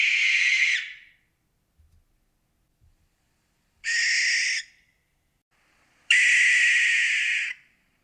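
A barn owl gives three harsh, hissing screeches, each under a second and a half long and spaced a few seconds apart, with near silence between them.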